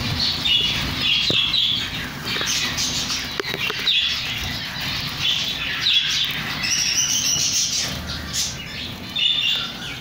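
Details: Chicks giving short, high squeaky chirps in loose bursts every second or two, over a steady broadband hiss with rustling and fluttering noises.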